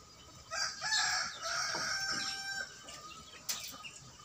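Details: Young male free-range village chicken, about 60 days old, crowing for the first time on a small home farm; a hoarse, uneven crow lasting about two seconds, then a brief sharp sound and a few soft notes.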